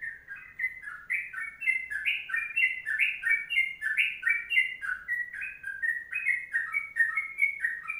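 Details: A sooty-headed bulbul's long 'kongslet panjang' song: lively bubbling phrases of quick, liquid whistles, steadily repeated without pause in a quiet place.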